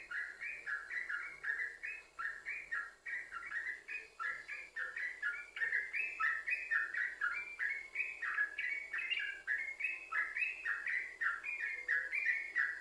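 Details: Trucukan, the yellow-vented bulbul, singing as a lure to set other bulbuls singing: rapid, continuous bubbly phrases of short liquid notes alternating higher and lower, flowing without pause for the whole stretch.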